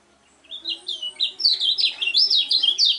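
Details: Lemon-bellied white-eye song: after a brief silence, high thin whistled notes build into a lively, accelerating jumble of sweeping chirps, growing louder toward the end. The bird is kept as a singing-contest bird.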